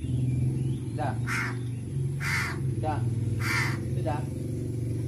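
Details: Hungry crow begging during feeding. Three harsh caws, each with a short hoarse trailing note, over a loud steady low engine-like hum.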